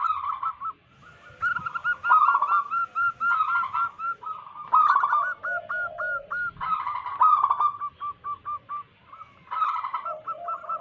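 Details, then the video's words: Local wild zebra doves used as a lure to attract wild doves: several birds overlap in rapid series of short, bubbling cooing notes at mid pitch, with brief pauses between bursts. "Lokal Alam gacor pancingan pikat burung perkutut Paling ampuh."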